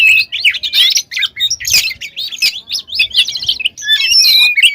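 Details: Oriental magpie-robin singing hard in full, filled-in style as a provoking lure: a dense, fast run of varied chirps, trills and twisting whistles with almost no pause, over a faint low hum.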